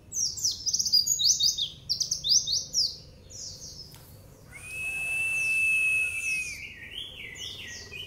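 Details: White-eye nembak-style training song: rapid runs of sharp, high, falling chirps, about four a second, then a sustained level whistle, then more quick chirping.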